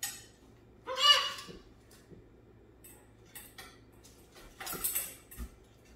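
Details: A pet macaw, upset with his favourite toy, gives one harsh, raspy squawk early on, followed by clattering and knocking from the hard toy and a second burst of rattling noise.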